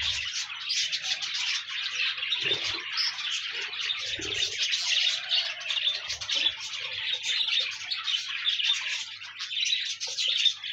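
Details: Pet parakeets sing as a group, producing a steady, busy stream of high chirps, squeaks and warbling twitters with no pauses; suitable for keeping a lonely budgie company and prompting it to sing.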